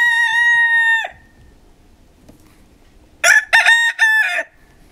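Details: Two crows from Pavlovskaya roosters in Barnaul, Altai, Siberia, winter, November 28, 2015: the end of a long steady crow, then after two quiet seconds a full crow of three rough, strident syllables.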